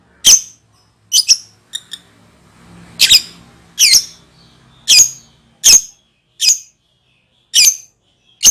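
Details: Lovebird giving ngekek calls used to lure other birds: sharp, high, squeaky chirps spaced irregularly about a second apart, some doubled, in a quiet room.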